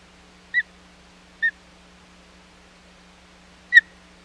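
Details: Osprey at the Hog Island nest during the unsuccessful second fish delivery of 25 July 2020: three thin whistled chirps, two close together and a louder one after a two-second gap.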